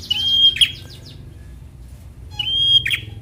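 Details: Bar-winged prinia, a young fighter-type singer, in a lure recording meant to make idle birds sing: two phrases, each a flat high whistle closing with a scratchy burst, separated by a two-second gap.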